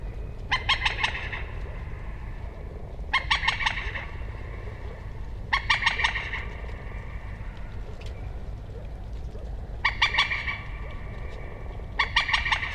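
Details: Common moorhen giving bursts of rapid, stuttering repeated notes, about five to seven per burst, every two to three seconds over a steady low rumble.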